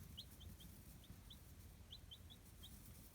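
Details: Chicken chicks of a native breed, raised free-range in a homemade brooder in Kitahiroshima, Hiroshima Prefecture, Japan, give high, short peeps in quick bursts. About a dozen scattered notes over three seconds against a low, steady rumble.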